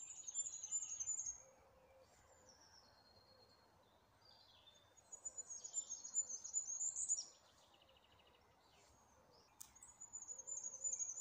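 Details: Birds singing outdoors in nature: bursts of very high, thin, rapid twittering and trilled phrases lasting a second or two, separated by quieter gaps, over a soft low murmur with occasional fainter lower chirps.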